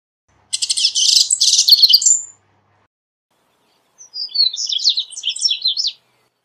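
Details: A double-collared seedeater gives a dense, buzzy, rattling phrase of high notes, then after a pause a sweeter run of rapid slurred whistles.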